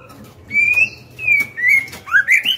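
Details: Female white-rumped shama singing to provoke males into song; a series of loud, clear whistled notes, level then rising and slurred upward, in four bursts over under three seconds, with faint background knocking.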